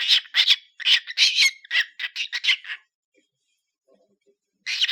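A cockatiel chatters in quick, harsh, speech-like bursts, pauses, then starts again.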